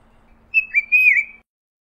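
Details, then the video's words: Tufted titmouse giving a short whistled phrase, a warbling clear note near one pitch that wavers slightly, broken into three quick pulses with a brief gap, in otherwise quiet surroundings. "Tufted Titmouse Calling Sound"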